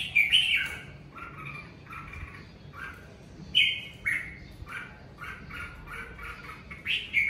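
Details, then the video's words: Red-whiskered bulbul singing during the covid season: short warbled, slurred whistled phrases, some with bright upper notes, in bursts separated by brief pauses. "Chào mào hót mùa covi"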